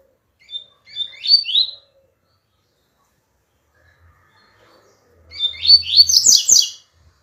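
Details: Double-collared seedeater singing a brief warbled phrase, then after a long silence a louder, fuller burst of rapid high twitters and slurred notes over a faint low hum.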